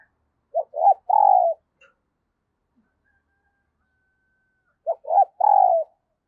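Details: Early-morning decoy spotted dove calling wild birds: two matching coo phrases about four seconds apart, each of quick short notes and a long trembling coo, with silence between.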